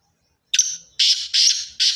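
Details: Sindhi-line black francolin: a thin, whistled opening note slides into a run of three or four rasping, buzzy bursts at a steady pace, with no other sounds.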